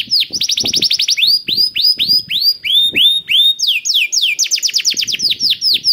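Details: Canary singing as a prompt for other canaries: quick runs of curved whistled notes, some slower clear sweeping whistles in the middle, then fast trills again, over faint low thumps.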